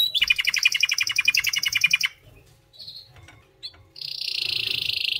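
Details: White canary song opens with a loud pulsing trill of repeated notes, pauses with soft chirps, then resumes with a fast, dense, buzzy trill.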